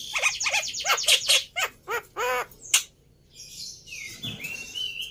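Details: Lure song of the black-winged myna, used to coax a bird into singing: quick harsh chirps, a few nasal squawks, then a pause and a high whistled rising note.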